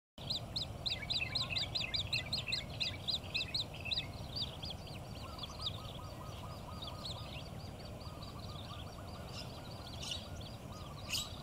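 An Australasian grebe chick gives rapid, high, thin peeps, about two a second, for several seconds. A lower trill follows over steady background rumble.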